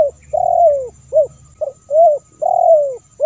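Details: Spotted dove cooing from a lure track meant to attract wild doves. Loud, close, mellow notes: a long downward-sliding coo, a short hoot, then the pattern repeats rapidly with little background.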